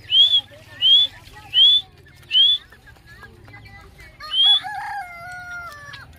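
Grey francolin giving five loud, shrill, high whistled notes, each roughly three-quarters of a second apart, followed by a lower, drawn-out tonal call and a faint background hum.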